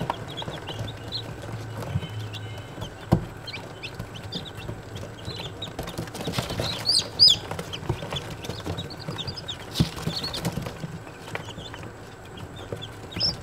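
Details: Baby Australorp chicks a day old, chirping: scattered thin peeps from several birds, briefly louder in the middle, amid rustling, clatter and steady electrical hum.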